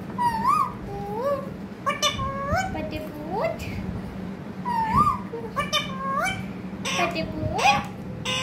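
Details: Parrot chatters on in quick phrases of wavering, upward-curving whistles and rough speech-like sounds, bursts clustered with short gaps over several seconds, above a continuous low hum.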